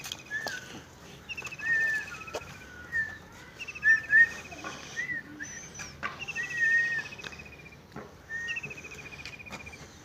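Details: A village bird chorus: repeated buzzy high trills alternating with sweet whistled chirps and warbled phrases, fairly loud and close, with a quiet background.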